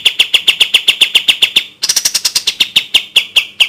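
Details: Bulbul tutor song in the kapas tembak style: evenly spaced sharp notes, then a quicker, brighter run of higher chattering notes, then a return to slower clipped notes.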